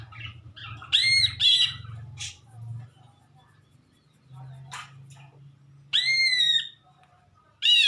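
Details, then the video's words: Greater green leafbird giving a strange sound: loud, strongly harmonic notes that rise then fall, in separate bursts about a second long with quiet pauses between. "cucak ijo bersuara aneh"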